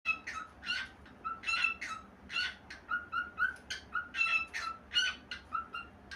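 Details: A cockatiel sings nonstop, a busy run of bright whistles and chirps with short notes tumbling one after another.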